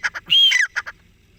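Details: Francolin, called dakni or desi teetar, giving a loud harsh call: two short buzzy notes, then a drawn-out grating whistle with a falling tail, then two more short buzzy notes. The background is quiet.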